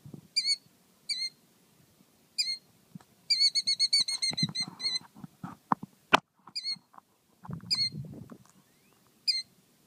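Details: Nest-guarding male Killdeer giving spaced single shrill calls, then a short rapid burst of high ringing notes, then more isolated calls. Rustling, thumps and one sharp crack are heard between calls.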